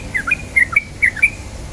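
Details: Yellow-vented bulbul, used as a lure to start birds singing: a string of short, bright chirping notes in quick succession, some rising and some falling, over faint background hiss.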